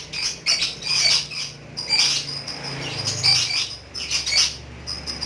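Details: Pet lovebird in ngekek style: bursts of high, scratchy chattering notes, several short runs of rapid chirps separated by brief pauses, with a low steady hum underneath.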